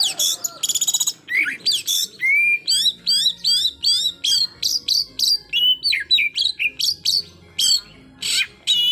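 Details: White-rumped shama delivering a full song to anger a rival: a rattling trill, rising slurred whistles, then a long run of repeated zigzag chirps and sharp notes at a brisk pace.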